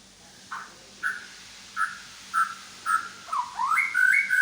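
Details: White-rumped shama, Medan type, displaying borrowed phrases: a series of short, mid-pitched whistled notes spaced about half a second apart, building into faster rising and falling slurred whistles, over a hissy background.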